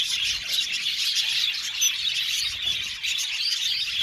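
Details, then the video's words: Budgies in an aviary colony chatter together, dense high chirping punctuated by several clear, short whistled squeaks above the constant twittering. "Beautiful budgies chirping sound"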